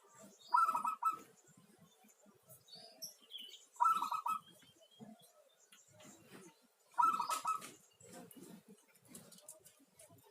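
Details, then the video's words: Local zebra dove singing: a short stuttering, rolling coo phrase repeated about every three seconds, three phrases in all, over a steady background of low rustling and faint noise. "merdunya suara perkutut lokal"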